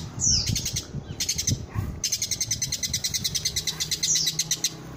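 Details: Long-tailed shrike, a village-type bird, singing in a tutor recording for training caged songbirds: fast runs of sharp, high, evenly pulsed notes with a few downslurred whistles and short gaps, over low rumbling background noise.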